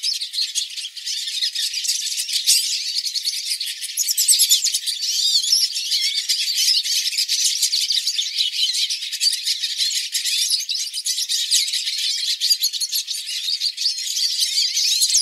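A hooded siskin sings a long, unbroken stream of fast, high, twittering and buzzy notes with squeaky trills, running without pause throughout.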